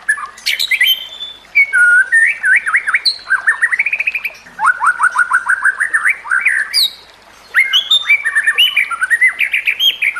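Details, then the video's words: White-rumped shama song meant for training young shamas: long, rich sequence of rising whistles, rapid stuttering trills and chattering notes, a short pause, then more varied sweeping phrases. "Masteran Murai Batu: Teknik Terbaru untuk Meningkatkan Gaya Berkicau"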